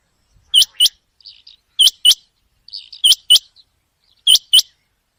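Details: Common quail giving sharp, liquid, high notes in quick pairs about every 1.2 seconds, with soft murmured notes between bursts; a calling recording used at night for quail hunting.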